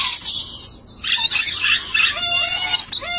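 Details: A pair of dusky lories give harsh, rasping screeches in a near-continuous burst, joined in the last second by a few thinner, nasal whistled notes.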